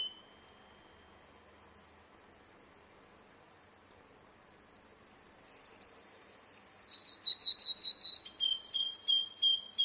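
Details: A Russian canary competing in a singing contest holds a long steady whistle, then launches into a rapid, regular rolling trill that descends in stages.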